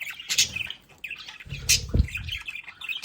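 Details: Budgerigars at home in a play area chatter with raspy warbles and high squeaky chirps. A low knocking thump sounds in the middle.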